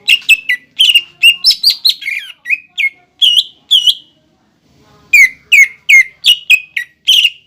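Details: ['Greater green leafbird (cucak ijo) lure song, played to provoke young and newly caught leafbirds into singing: loud, sharp whistled notes with clicky attacks, delivered in fast bursts of about two per second, pausing briefly near the middle.']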